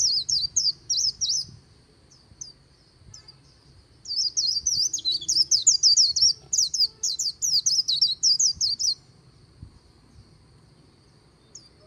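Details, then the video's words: Riverside white-eye by the Kỳ Cùng in líu song, opening with short high twitter bursts and sparse chirps, building into a five-second run of very fast, shrill, warbling notes before fading to a thin steady hum. "VÀNH KHUYÊN HÓT LÍU/ 10 PHÚT CHIM VÀNH KHUYÊN LÍU BÊN BỜ SÔNG KỲ CÙNG RẤT HAY/ KÍCH KHUYÊN LÍU CHOÈ"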